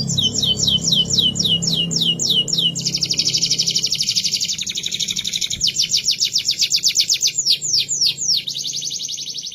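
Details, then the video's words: Canary song used as a master for training other birds: fast, high, rattling trills of repeated notes, shifting between rolling slurred tours and a dense buzzy run, over a steady low background hum. "Masteran kenari paud"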